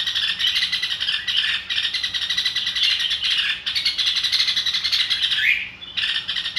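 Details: Red-whiskered bulbul, fired up and singing along, gives excited, nonstop chattering song of bright, bubbly notes packed closely together, with a quick falling slur near the end.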